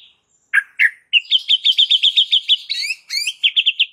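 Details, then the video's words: Murai batu, the white-rumped shama, in raging fight-ready master song: two sharp notes, then a fast steady stream of about fifteen bright repeated chips, broken by ringing harmonic whistles. "jadikan Murai Batu siap TARUNG dengan MASTERAN Murai Batu GACOR NGAMUK satu ini"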